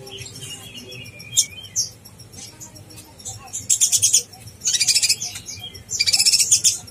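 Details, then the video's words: Master song of an actively singing konin blorok for training contest birds: scattered high thin notes at first, then three dense bursts of fast, very high chattering chirps. "konin blorok gacor bikin konin bahan emosi"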